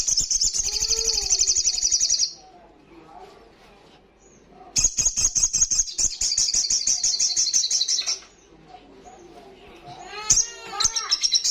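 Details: Loud, fast 'ngalas' song of an olive-backed sunbird in full voice: a shrill trill of rapid pulses runs over two seconds, a quiet gap follows, then a longer three-second trill and a few sharp chips.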